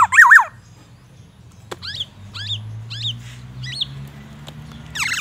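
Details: Black-naped oriole, caged and sunned in the morning, song filled with white-rumped shama imitations: a loud warbled burst opens, followed by a few soft hooked whistles with quiet gaps, and a low hum.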